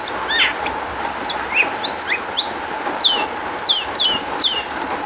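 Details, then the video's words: Long-tailed shrike song used as a lure for other shrikes: varied whistled slurs and a long high note, then three or four loud downslurred whistles repeated about every half second, over a faint steady hum. "kicau cendet gacor MEWAH ISIAN buat PANCINGAN CENDET AGAR BUNYI jadikan BURUNG PENTET NYAUT"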